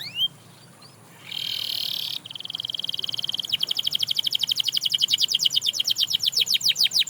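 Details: Canary singing to inspire other canaries to sing again: a few rising slurred whistles, then a steady buzzy held note, then a long fast trill of rapidly repeated sweeping notes that keeps going to the end.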